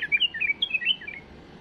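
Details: Tame bulbul giving a flawless song used to train chicks: a rapid run of bright, fluty whistled notes, some rising and some falling, delivered in a lively bubbling phrase that fades out near the end.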